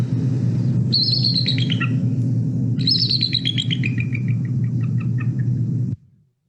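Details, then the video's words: A bald eagle call, much less intimidating than a red-tailed hawk's scream: two bursts of thin, high, chattering piping notes that fall in pitch and stutter apart, over a steady low rumble. "So this is what bald eagle sounds like."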